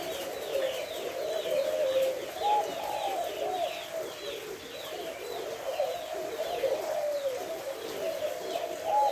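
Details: Spotted dove, còi kim type, recorded 3 August, crowing its five-note hậu 2 call: repeated phrases of low, soft, rolling coos, one after another, beneath persistent broadband hiss.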